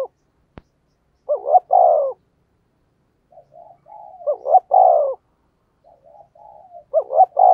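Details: Thúc gù cooing from a spotted dove, meant to attract wild doves. A single click, then three strong, throaty coo phrases roughly every two and a half seconds, each preceded by soft low murmuring notes.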